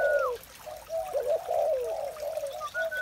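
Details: Spotted doves cooing on a joyful morning, several low, overlapping hollow coos running together, with a thin descending whistle at the start and a level whistle near the end.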